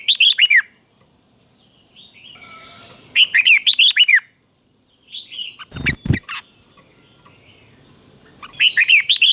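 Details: Caged red-whiskered bulbul used as a teacher bird, giving clear doubled song phrases: three bursts of rapid warbling, chirpy notes separated by quiet gaps, with a loud thump in the middle.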